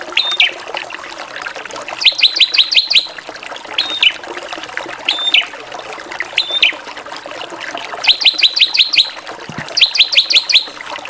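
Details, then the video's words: Drongo in varied 'gacoran' singing: bursts of five or six sharp, rapidly repeated high chips in quick trains, alternating with single whistled notes and short falling slurs, over a steady hiss. "SRIGUNTING VARIASI GACORAN"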